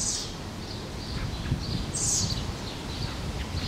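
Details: Common blackbird fledgling on a park lawn in Helsinki, Finland, June 2013, begging from the parent that feeds it: thin, high squeaky calls in two bursts about two seconds apart, softer chirps between, over a low rumble of wind or traffic.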